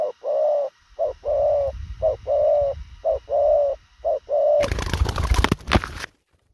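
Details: Spotted dove coo in the rapid thổ khàng style: five rhythmic pairs of a short note then a longer level hoot, roughly one pair per second. A loud rustling, crackling noise breaks in near the end.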